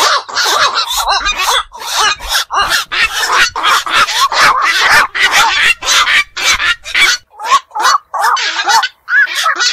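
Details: Several black-crowned night herons, locally bakchu, birds of ponds and wetlands, give a steady stream of coarse, barking squawks, roughly two a second, overlapping and uneven in rhythm.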